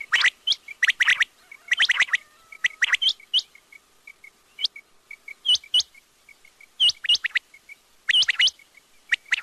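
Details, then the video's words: Quail sounds: rapid runs of sharp, clicking, whip-like notes in bursts, over a steady string of soft, short, evenly spaced pips, possibly from more than one bird. "batair ki awaz|quail sounds"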